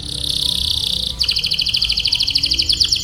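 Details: Canary tutor recording for young canaries still learning: a sustained buzzy, tremulous phrase shifts abruptly into a quick, rhythmic trill of repeated sharp syllables.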